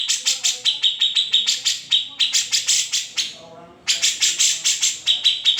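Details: Cucak jenggot or grey-cheeked bulbul in an unedited master recording; rapid high chipping with short held notes, a second-long lull with soft low warbles, then the quick sharp series resumes.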